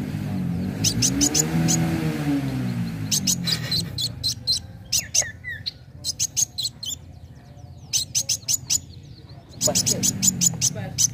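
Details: A sunbird in a lure recording meant to provoke rivals to fight gives quick, high, thin chirps in rapid bursts, several per second. A low droning hum rises and fades at the start and end.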